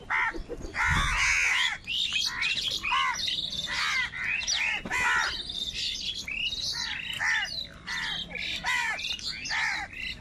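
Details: Huge numbers of wild crows crowing and crying while fighting for food, an unbroken tangle of short harsh caws from many birds at once.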